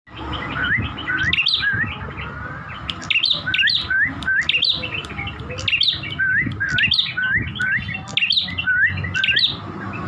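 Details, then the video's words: Chestnut-crowned warbler repeating short sweet phrases, each a quick rising slur ending in a high flourish, given about twice a second in a steady run over a noisy, hissy background. "Prenjak Kepala Merah"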